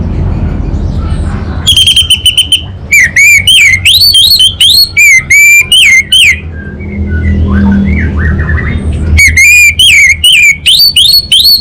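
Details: Orange-headed thrush, a caged bird from North Bali, Singaraja, singing in the energetic 'kabel konslet' style. Loud, varied whistled phrases come in rapid bursts, with a quiet pause in the middle before a fresh run of sharp, rising notes.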